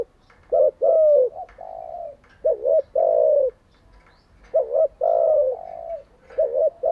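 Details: Spotted dove serving as a decoy bird for daily training of caged doves, delivering low cooing phrases of short clipped notes and a longer wavering coo, repeated about every two seconds.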